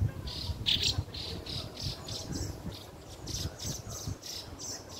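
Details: On June 2nd a fieldfare chick is heard alongside its family, giving a steady run of short, scratchy high notes, about two per second, throughout, with one louder note early on over low background rumble.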